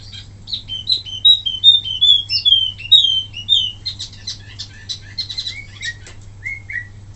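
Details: Wambi mini sings as a tutor recording for other birds: a chain of sweet slurred whistles, then quick chattering high notes and two closing downslurred whistles.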